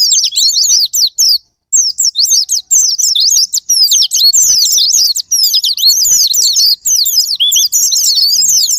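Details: Japanese white-eye song used as a lure or sparring partner to provoke caged birds into singing: dense, rapid, high twittering of sweeping whistled notes, almost unbroken, with one short pause near the start.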